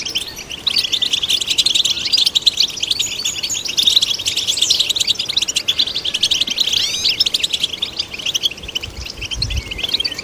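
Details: Goldfinch song aimed at stimulating goldfinches: busy, high twittering with rapid chip notes, scratchy trills and a few looping slurred whistles, constant for ten seconds, with a soft low rumble near the end.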